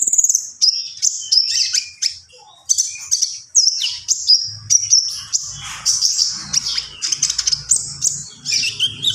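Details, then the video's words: A common iora sings a rapid, high chatter of varied notes: whistles, squeaky chips and brief trills strung together continuously, with a soft low hum in the background. "SUARA BURUNG KONIN GACOR"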